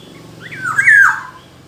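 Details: A black-naped oriole gives one mellow, fluid whistle that rises briefly, then glides down and fades, with a low steady hum beneath.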